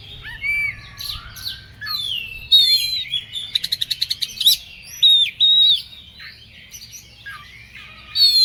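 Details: An Oriental magpie-robin, described as agitated, mixes sweet whistled slurs, a fast ticking rattle of about ten notes, and sharp hooked whistles, with short pauses between phrases.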